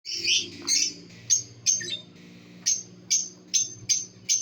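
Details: Breeding pair of lovebirds, kept birds: a couple of buzzy squeaks, then short sharp high chirps repeated roughly every half second.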